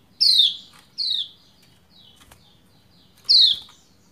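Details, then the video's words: Female Lombok white-eye's call meant to make the male sing, a quick pair of high descending chirps, a pause with a soft click, then one more loud falling chirp. "Ciak Ciak Pleci Lombok Betina Memanggil Jantan Supaya Cepat Gacor"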